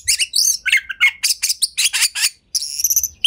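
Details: White-rumped shama singing to prompt other shamas: quick bursts of harsh, buzzy chirps repeated in rapid succession, ending with a sustained high whistle.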